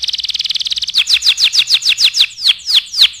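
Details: Canary song used as a tutor recording for other birds: a fast, even trill of high buzzy notes for about a second, then a slower series of sharp, down-slurred whistles repeated roughly four times per second.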